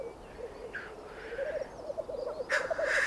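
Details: A black grouse gives its spring mating call in the Alps: a low, bubbling, dove-like cooing that rolls on steadily, with a sudden harsh hissing sneeze near the end.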